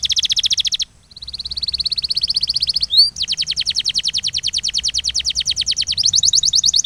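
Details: Master canary training song with long rolling tours: a dense high trill, a short pause, a smooth fast roll, one upswept whistle, then a lengthy steady pulsing trill changing into a higher rapid roll at the end.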